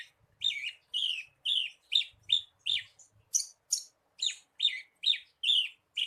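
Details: Lure song of the Javan bushlark, meant to set a kept bird singing: steady run of bright, high, slurred chirps more than twice a second, with a few soft low knocks in the background.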